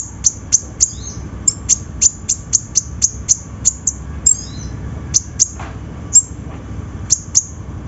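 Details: A sunbird sings in a lure track for birds slow to sing. It gives a long run of rapid, needle-thin high notes, some clipped and some trailing into short slurs, delivered almost evenly over eight seconds.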